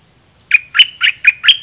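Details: A red-whiskered bulbul used as a decoy sings its dok taeng style song toward wild birds: five loud, bright whistled notes in quick succession, evenly spaced and slightly rising in pitch.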